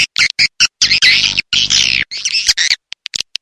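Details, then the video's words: Harsh, high swiftlet chatter in rainy-season style: a few quick chirps lead into longer grating twitters around one to two seconds, then scattered brief notes. "Suara Walet Sp. musim Hujan original"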